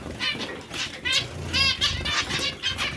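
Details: Clear nasal, harmonic zebra finch calls repeated several times a second, some overlapping, over steady low background noise.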